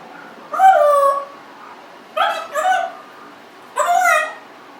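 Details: Congo African grey parrot, 1.5 years old and kept as a pet, makes three bursts of nasal, talking-like whines, the middle one doubled, in a quiet room.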